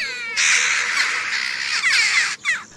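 A Western Jackdaw gives harsh, raspy cawing that runs for about two seconds, then one shorter rasping call at the end. Nothing else stands out.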